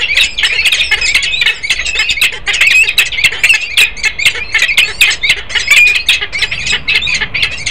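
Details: Male and female peregrine falcon at Harrisburg, Pennsylvania, 10 December 2020, giving a long run of grating, squawking notes in quick irregular succession, with barely a pause over nearly eight seconds.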